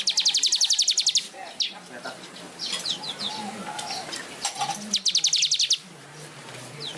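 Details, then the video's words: A weaver (manyar) sings two bursts of fast, buzzy, rattling high-pitched notes, each about a second long, with scattered sharp chirps between them over a faint background murmur; described as in full song and flapping its wings. "Kicau Burung Manyar Gacor Ngepak sayap"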